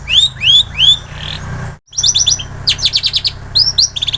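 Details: Long-tailed shrike imitating plain prinia and canary, used as training audio for songbirds: three loud rising slurred whistles and a short buzz, a brief silence, then fast clusters of high chips and whistles.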